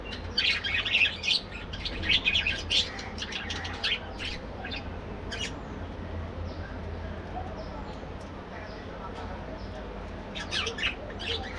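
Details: Budgerigars in an aviary breeding colony during morning activity, giving bursts of scratchy, chirping chatter in clusters, louder near the start and again near the end, over a steady low hum.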